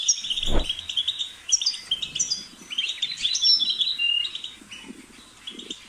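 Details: European goldfinch giving a liquid, tinkling twitter with buzzy trills and whistled notes, a brief low thump near the start and soft low rustling throughout.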